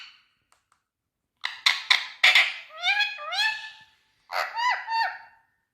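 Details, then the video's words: After a quiet start, an Indian ringneck parakeet utters a few harsh, clipped syllables, then two groups of smooth, speech-like phrases with upward-bending inflections. "Ringneck Green Parrot🎀Speak Sound"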